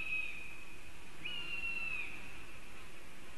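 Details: Black stork defending its nest in Latvia while a raptor is nearby, on a nest webcam at 10:11 on 27 July 2018: two long, level, thin whistles, the second rising slightly then falling, over steady low background hiss.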